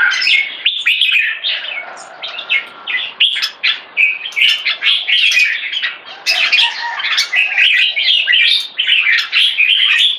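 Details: Jambul, or red-whiskered bulbul, in an aggressive C-shaped posture delivers rich, jumbled phrases of sharp whistles and chatter, some wing flutter, in quick bursts.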